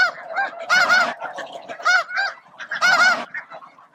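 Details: Snow geese, thousands feeding, grooming and facing off for space around noon at Bosque del Apache, with a few Ross's geese among the flocks; loud overlapping nasal honks in bursts, a dense noisy flock chorus.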